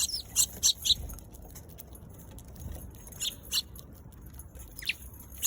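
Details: Eurasian tree sparrow giving short, high chirps in a quick cluster at the start, then scattered single chirps and a few more near the end, over a low background hum.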